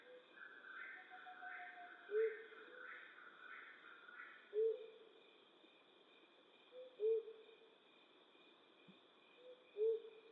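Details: A flammulated owl hoots at night, giving low, soft single hoots about every two and a half seconds, with faint insect-like chirping and a steady high hum behind.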